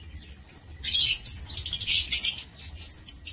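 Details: Lovebirds in an aviary on 16 March 2024: quick high twittering notes, then a dense harsh burst of squealing chatter, ending with rapid sharp chirps.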